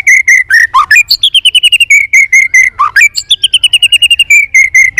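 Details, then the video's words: Competitive song of a tail-flicking White-rumped shama: loud, rapid, evenly spaced chip notes pouring out continuously, with brief downward swoops and a higher stepped section midway, over a quiet background. "chòe Lửa đập đuôi hót đấu liên tục nhiều giọng"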